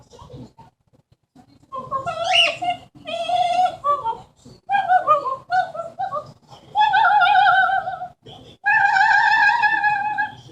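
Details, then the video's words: Pet female Amazon parrot indoors, talking and imitating sounds; her repertoire includes hi, thank you baby, watcha doin, good job, kiss noise, wolf whistle and falling bomb noise. Loud, wavering, harmonic speech-like phrases separated by short pauses. "The many sounds of an amazon parrot."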